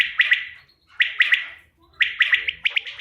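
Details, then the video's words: Quail (bater) calling for use as a hunting lure: a clean three-note phrase, sharp and liquid, repeated roughly once a second, three times, then a quicker burst. "bater ki awaz shikar k liye behtareen awaz quail bird sounds for hunting بٹیر کی آواز"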